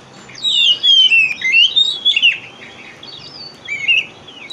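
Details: Oriental magpie-robin song used as a lure recording to coax silent or sluggish magpie-robins into singing: loud, sweet whistled phrases sliding up and down, with quieter, fainter whistles toward the end.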